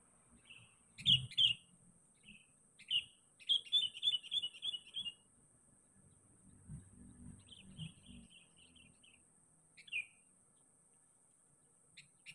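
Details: Sooty-headed bulbul calling out to find a rival, used as a lure: short bright chirped notes, then a fast run of about eight similar repeated notes, a few scattered phrases after, with faint low thuds and a steady high electrical whine throughout.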